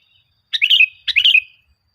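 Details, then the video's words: Sooty-headed bulbul song played as a lure to get caged bulbuls singing: two short, bubbly, warbled phrases about half a second apart, each a quick jumble of liquid notes sliding down at the end, with a quiet background. "Suara Burung Kutilang Gacor, full Suara Pancingan Kutilang Di Jamin Cepat Gacor"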